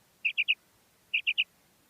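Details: Calling female common quail: two crisp bursts of three sharp, high notes in rapid succession, separated by a short pause, against a quiet background.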